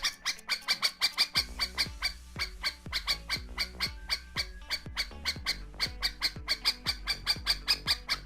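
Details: Warning calls from a kept nightingale: rapid series of sharp, squawky notes, roughly three per second, fairly even in loudness, with faint low sliding tones in the background.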